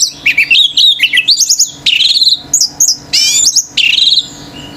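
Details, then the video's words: Orange-headed thrush singing nonstop in the 'gacor' style that stirs other birds to rage; loud, rich, varied phrases of slurred whistles and sharp rising and falling notes come in quick bursts with brief pauses. "ANIS MERAH GACOR TELER‼️BURUNG LAIN IKUT NGAMUK‼️"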